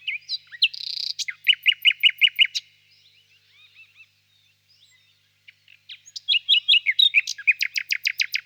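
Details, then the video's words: Nightingale song with a loud repeated series of sharp descending notes, a quiet gap of faint twitters, then another rapid volley of strong, evenly spaced notes, clean against a silent background. "пение соловья"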